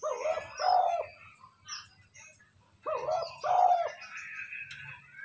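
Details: Spotted dove coos for rousing decoy birds: a throaty two-part coo phrase repeated twice, about three seconds apart, with other birds twittering in the background.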